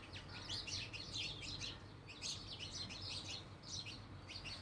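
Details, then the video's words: A dense, lively chorus of house sparrows, many short high chirps tumbling over one another in rapid bursts with brief gaps. "House sparrow((चिमणी पाखरं)).... chirping sound of birds.."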